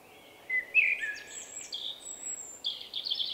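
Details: Singing male Common Blackbird known for a distinctive song, spring 2024; a fluty whistled opening gives way to a string of very high, thin squeaky notes and twitters, with steady background hiss.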